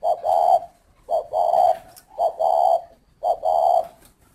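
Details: Four steady two-part coos from a spotted dove at a dove garden in Ba Vì district, Hanoi, Vietnam: a short lead note then a fuller sustained one, spaced about a second apart in a quiet setting.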